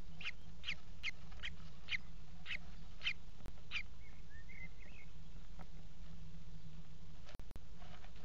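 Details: Nest-box Common Kestrel young, four chicks fed by the mother on the afternoon of 28 June 2016; a quick run of sharp, high chirps, roughly two to three per second, then softer trailing notes, with a constant electrical hum beneath.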